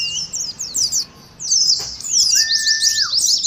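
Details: Oriental white-eye ngeriwik chatter as a singing lure and contest simulation: choppy bursts of high twitters, a quiet gap just before the midpoint, then busier trills and one long flat whistle that drops at the end.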